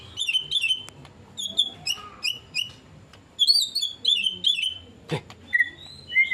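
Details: White-rumped shama singing: bright, high, slurred notes repeated in short phrases of two or three, with brief pauses between them and one sharp click near the end.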